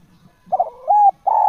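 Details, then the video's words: Fragment of a natural spotted dove's cooing: a stuttered note, a smooth level coo, then the start of a long coo cut off abruptly, with faint low murmurs before. "SUARA TEKUKUR GACOR JOSSS AMPUH TEKUKUR ALAMI"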